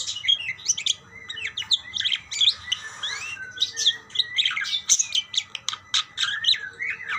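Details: Budgerigars answering one another with a rapid series of sharp, high, clicky chirps and short whistled slurs, evenly spread through the stretch, with a low background hum.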